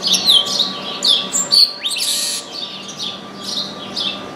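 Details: Chestnut-capped blackbird that landed in an orange tree and sang a lot: high sliding whistles and chirps in quick succession, then a harsh buzzy burst near the middle and softer repeated notes after, with a faint steady hum underneath.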